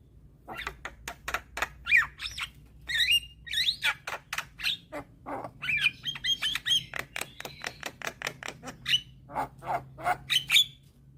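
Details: Young black-winged starling in steady, varied song used to coax other starlings to sing: fast mix of clicks, harsh chatter and bright slurred whistles, dense and nearly unbroken for eleven seconds.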